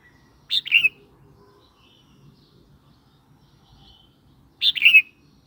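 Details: Red-whiskered bulbul singing, a recording meant to tease other birds or train young birds: two lively, warbled phrases of several quick rising-and-falling notes about four seconds apart, with faint low background rumble between.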